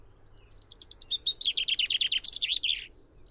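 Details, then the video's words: A common chaffinch delivers one cheerful phrase: faint lead-in, then a quickening series of about fifteen ringing, downslurred notes, finished with a bold twisting end flourish, followed by quiet. "O canto do TENTILHÃO-COMUM (FRINGILLA COELEBS)/CHAFFINCH SONG"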